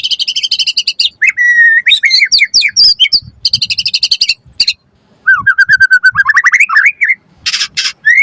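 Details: Loud, full white-rumped shama song meant to provoke other birds and for song training: dense rattling bursts alternate with rising and falling whistled phrases and quick slurred notes, with a brief pause midway.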